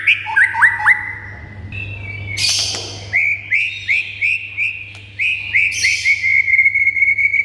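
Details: White-rumped shama singing to provoke other birds into excited song: rapid chirped phrases, a harsh buzzy burst, then a series of short rising whistled notes repeated about four per second, ending in a sustained trill; low hum beneath.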